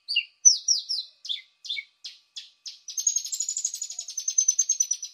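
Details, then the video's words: Paddyfield pipit sound used as a lure by bird catchers: sharp descending chirps spaced about a third of a second apart, then a fast, high buzzy trill of rapid repeated notes lasting two seconds, with no other sounds. "Suara pikat ampuh burung apung"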